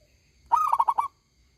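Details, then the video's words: Local zebra dove delivering one big, ringing song phrase, a bright first note followed by a rapid rolling series of four or five pulsed coos. "perkutut lokal gacor suara besar nyaring"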